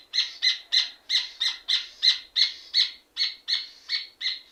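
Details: A red ovenbird (rufous hornero) sings vigorously, giving a run of bright, clipped, piercing notes at roughly three per second, evenly spaced and strong throughout, with no other sounds.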